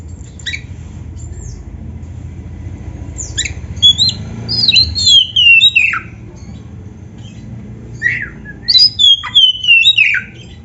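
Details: Oriental magpie-robin singing for use as training song: sparse thin notes at first, then sharp downslurred whistles and a quick series of clear whistled notes, separated by quiet gaps.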